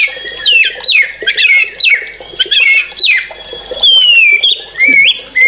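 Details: White-rumped shama singing energetically, with short scratchy phrases punctuated by sharp whistles, then a long clear whistle sliding down and rising again.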